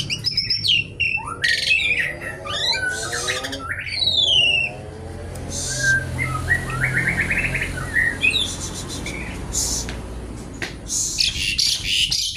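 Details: Javan pied starling delivering a long varied song: rapid chattering runs of descending notes, harsh rasping bursts, a rattling series and scattered whistles, with quieter gaps between phrases.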